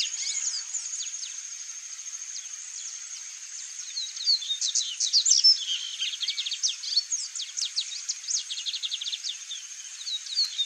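A chalk-browed mockingbird sings a rapid, varied jumble of high chirps, trills and sharp notes, over a steady high insect whine.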